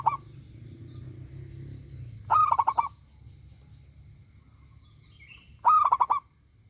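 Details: Two phrases from a loud, clear-voiced local zebra dove, each a rising coo dissolving into a rapid stutter of pulsed notes, about three seconds apart, over steady low background noise and faint bird chirps.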